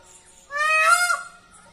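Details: Peacock perched on a tree giving a single loud, nasal, honking wail of about three-quarters of a second, rich in harmonics and rising slightly before fading, in an otherwise quiet setting.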